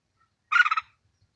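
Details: Red-whiskered bulbul of the white-clawed type, caged and used as a decoy: one quick burst of four or five rapidly pulsed, bubbling whistled notes, clean and otherwise silent.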